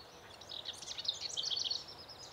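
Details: Female Broad-tailed hummingbird at the nest giving a brief burst of quick, high, squeaky twitters lasting under two seconds, over a soft hissing background.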